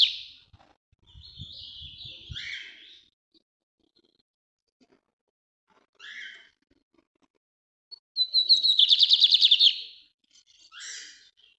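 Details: Northeast-type song of a lined seedeater from Brazil: scattered high buzzy notes and short phrases, then a loud rapid trill of repeated pulses followed by a brief buzzy ending note, with a few faint clicks.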